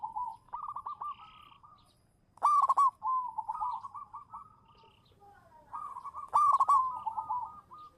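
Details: Local zebra dove singing as a champion lure bird: gentle trilled coos lead into a loud ringing burst, and the pattern repeats after a pause of about four seconds.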